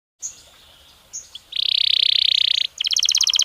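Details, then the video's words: Belgian canary song played as a stimulus to make a canary sing with a clearer voice: faint chirps, then a dense buzzy roll held for over a second, followed by a fast, ringing high trill. "Som de estímulo que faz o canário belga responder com voz mais clara"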